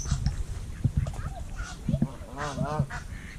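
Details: Ducks on a lake in Richmond Park, one of two neighbouring lakes: a nasal, harmonic honking call near the end, over heavy wind and water rumble with scattered other calls.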